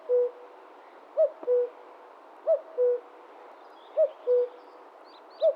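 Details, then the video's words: Wild Common Cuckoo (Cuculus canorus) giving repeated falling two-note 'cu-coo' calls, each pair about a second and a half apart, the last pair cut short after its first note; soft high chirps from other birds near the end. "Common Cuckoo Sound – Song & Bird Calls"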